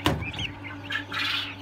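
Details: Newly hatched quail chicks on a farm, taken from an incubator on 13 May, give brief, high chirps and short rising peeps over a steady low machine hum, with a clatter at the start.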